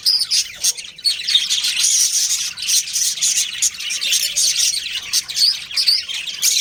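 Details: Pet budgies, a breeding pair, keep up nearly nonstop high twittering, rapid chattering chirps overlapping in quick succession with hardly a break.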